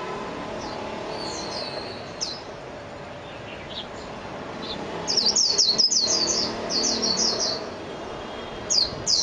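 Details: Japanese white-eye: scattered single high notes, then a two-second burst of fast, high twittering chirps, with a last brief note near the end over soft background hiss.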